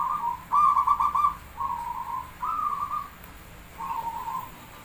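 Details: Zebra dove from Java singing lure song with counted beats: four to five trilled, gurgling coo phrases in steady succession, the louder first ones followed by softer, slightly lower notes, against faint hiss.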